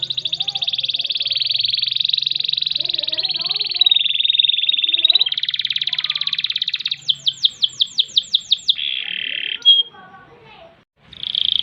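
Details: Canary in full song, long ngerek and ngerol style: an extended dense buzzing roll lasting about seven seconds, then a quick series of sharp down-slurred notes, a short whistle and a break before the roll resumes.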